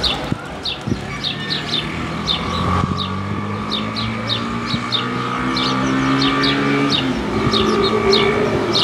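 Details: House sparrows living in the streets and squares of Paramirim, a city where they have adapted to human life; short high chirps repeated rapidly and steadily, about four a second, over loud rumbling traffic noise.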